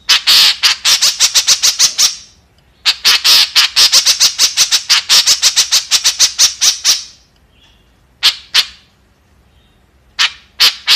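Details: Harsh, rasping squawks from a white-breasted woodswallow, known locally as kekep, delivered in two long rapid bursts separated by a short pause, followed by a few scattered single notes.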